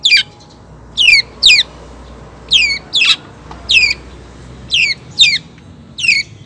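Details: A female long-tailed shrike calls for the male with harsh, grating notes that sweep down in pitch, mostly in pairs, repeated about once a second over a light background hiss.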